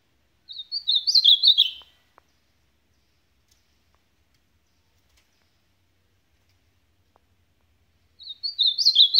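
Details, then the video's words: Ultramarine grosbeak (azulão) singing the supapo song style: a quick, warbled phrase of high, slurred notes lasting about a second and a half, repeated once after a long silence. "AZULÃO SUPAPO"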